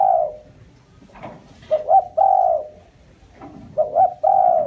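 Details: Spotted dove calling as a decoy for bird trapping: a quick double hoot leading into a long, smooth coo, the phrase given twice in succession with faint rustling between.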